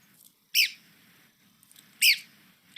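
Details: Red-cockaded woodpecker giving two harsh, scratchy down-slurred chirps about one and a half seconds apart over a faint low background hum.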